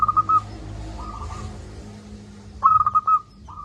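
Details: Local zebra dove with a loud voice, a master recording for lazy doves. Brief coo notes are followed by a softer level phrase, then a loud stuttered run of quick coos and another soft coo, against a background hum.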